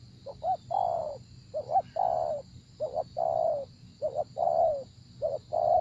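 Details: Spotted dove in a decoy-trapping setting giving repeated soft coos: short paired upslurred notes leading into a drawn-out, slightly falling coo, phrases following closely one after another, with a constant thin high whine behind.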